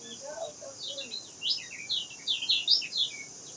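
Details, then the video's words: Kecial kuning, the lemon-bellied white-eye, in song: quick high chirps and slurred whistles that grow louder and denser toward the end, over a steady background hiss and some softer lower notes. "Pancingan ampuh buat kecial malas bunyi, suara asli gacor josss"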